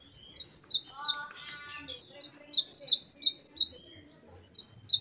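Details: Great tit (gelatik batu) wucit2 song: three high looping notes, a brief buzzy interruption, a run of about seven repeated notes, then two more.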